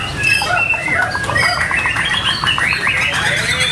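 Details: White-rumped shama singing at a bird singing contest: a dense, continuous run of varied whistled and chattering notes, rapid and overlapping, over a steady low background hum of the crowded venue.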